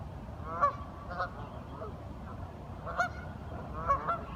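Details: Curious ducks giving a few isolated nasal honks, spaced one to two seconds apart, against a quiet rumbling background.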